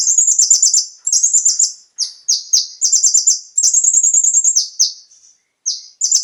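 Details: Konin (Van Hasselt's sunbird) singing a full, varied song meant to spur kept birds to sing: very high, rapid, sparkling trills alternating with short downward-sliding whistled notes, in steady bursts with few gaps.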